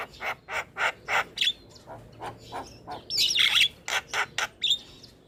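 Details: Starling vocal therapy for stimulating caged birds: evenly spaced hoarse squawks, a brief whistled flourish, then a louder noisy chatter and more rhythmic rasping notes.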